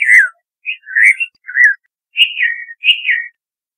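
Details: Red-vented bulbul (Pycnonotus cafer), likely the Central Indian race humayuni of Rajasthan, giving five short, cheery whistled phrases, each sliding down in pitch, in under four seconds against a quiet background.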